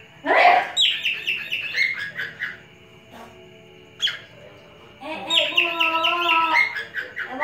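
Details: Male cockatiel from a breeding collection whistling at a female: a loud harsh burst, then rapid warbled chirps, a pause with a lone note, and a long rich harmonic whistled phrase with fluttering notes.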